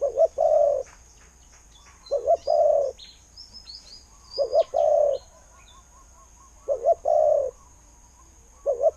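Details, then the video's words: Spotted dove, a decoy bird noted for its good voice, repeating low coos in a double-note-then-long pattern about every two seconds, with faint high chirps from other small birds in the background. "เสียงนกเขาใหญ่ เจ้า 800 คูอ่าง เสียงดี ต่อเข้าหมาน"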